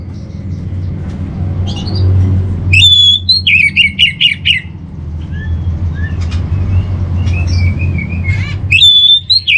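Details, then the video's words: Orange-headed thrush singing a training master song: a clear whistle opening into quick, loud, slurred phrases, then softer scattered notes and a second bright whistled phrase near the end, with low hum underneath. "Menstabilkan Burung ANIS MERAH Dirumah Baik EMOSI & Birahi dengan Mendengarkan Kicauan Masteran ini"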